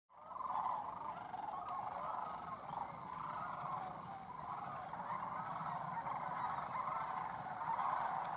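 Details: Many Sandhill Cranes at Shillapoo Wildlife Refuge near Vancouver, Washington, with Canada Geese taking flight, call together in a steady, overlapping chorus of rolling, trumpeting notes that runs without pause.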